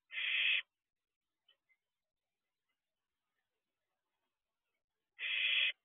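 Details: Barn owl owlet at a nest box, looking around outside at 4:31 am on 2 June 2023; two harsh, breathy half-second hisses about five seconds apart, with a couple of faint ticks between, otherwise quiet night.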